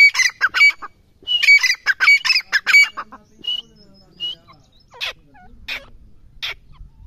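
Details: Grey francolin giving fast, harsh, repeated squawking phrases with ringing whistled accents, then a pause followed by thinner, spaced single notes and a few short whistles as the calling dies away.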